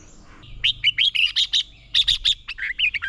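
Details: Red-whiskered bulbul in competition song training: a fast, continuous run of bright chirped and whistled notes, about a dozen syllables in three seconds, clear against a quiet background.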